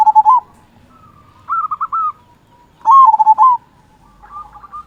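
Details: Local zebra dove with a big 'kung' voice, used to stimulate other doves: short rolling coo bursts alternate with higher stuttered phrases, with quiet pauses between.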